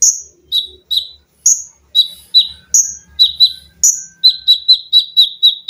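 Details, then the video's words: Training song of a caged olive-backed sunbird in 'tembakan rapat' style with 'lengkingan' and 'besetan': sharp high chips and shrill whistles, speeding up to a steady run of quick notes at the end over a faint low hum. "TERAPI KONIN GACOR FULL TEMBAKAN RAPAT!!!MESIN JAHIT,LENGKINGAN DAN BESETAN."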